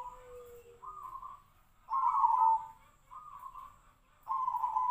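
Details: Zebra dove (perkutut, "Tejoanom") gives soft, mid-pitched purring coos, each burst under a second, repeated every second or so with a faint lower note at the start; its voice is likened to a sirtu (iora) and valued for monotone half-beat phrasing closing in three beats.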